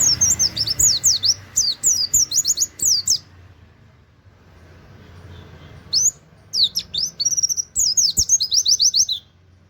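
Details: Oriental white-eye singing "wit wit" bursts like a canary, used as a training master; fast chains of thin, high, down-slurred whistles, a silent stretch of about two seconds mid-way, then renewed rapid runs.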